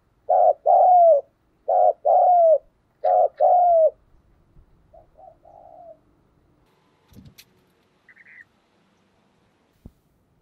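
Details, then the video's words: Spotted dove calling to get other doves cooing: three quick pairs of deep round coos, each ending in a downward slur, followed by faint scattered murmurs, a brief higher chirp and a couple of soft clicks. "Tiếng chim cu gáy thúc gù"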